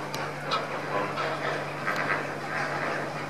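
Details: Lesser flamingos feeding indoors: a steady chatter of overlapping short, nasal, goose-like honks from many birds at once, over a constant low mechanical hum.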